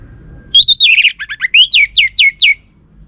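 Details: Orange-headed thrush lure song, which males are said to answer. One continuous run of about twelve varied, high, sweeping notes, many sliding steeply downward, delivered loud and clear against a quiet background.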